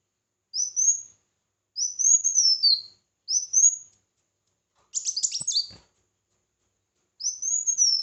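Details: Red-whiskered bulbul singing in competition: short rising whistled phrases repeated with pauses, then a burst of dense, jumbled notes with a few soft knocks, and a final bright warble.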